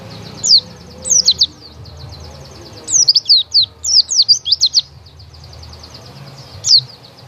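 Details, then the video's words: White-eye delivering fast, high, tinkling twittered phrases, densest in the middle, with a soft continuous high trill and low hum behind. "burung pleci"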